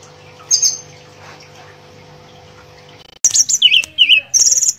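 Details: Mangrove blue flycatcher with one short whistle, then three quiet seconds of soft background hum, then a burst of bright warbled and whistled notes dipping and rising to the end.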